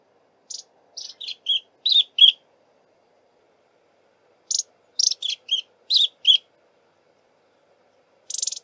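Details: Long-billed Crombec singing as it forages in thick bush: two phrases of about six high, clipped chirping notes, each phrase falling in pitch, then a final short buzzy trill after a pause.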